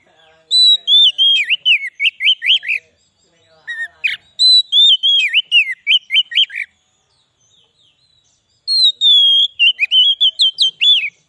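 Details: White-rumped shama song used as a lure to attract wild shamas: loud clear whistled phrases opening on a high note, then a fast run of down-swooping notes, repeated in three bursts with pauses.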